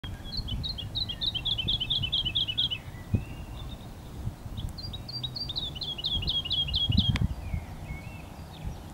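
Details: A woodlark sings in luxembourgish vineyards where it breeds: two fluty phrases of quick repeated notes tumbling downward in pitch, over a steady low rumble of wind or distant traffic.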